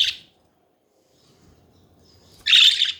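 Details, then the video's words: Pet budgerigars chattering: a brief scratchy chirp at the start, a long near-silent pause, then a loud half-second burst of buzzy, warbled chatter. "Hours of chatting budgies"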